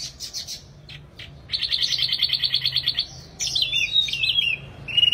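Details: Wambi bird in strong song: a few sharp clicks, then a steady rapid buzzing trill for about a second and a half, followed by tumbling high whistled twitters.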